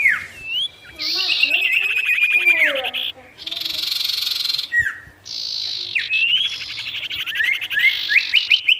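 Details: Sirtu bird in lively, varied song, said to call rival birds down: rising whistles and chatter alternating with long buzzy rasping phrases and falling slurs.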